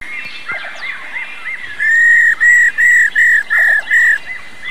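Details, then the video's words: Female black-throated laughingthrush calling "ro ro" to stir up males. Soft arched notes lead into six loud, flat, buzzy whistled notes delivered steadily about three per second. A continuous high hiss runs underneath. "KHƯỚU MÁI RÒ GIÀ RỪNG RÒ RÒ KÍCH TRỐNG"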